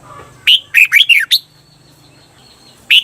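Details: Red-whiskered bulbul, Thailand, sung for training cage birds in the doubled 'bermle' style: a tight phrase of five clear, bending whistles lasting about a second, then silence and one more note.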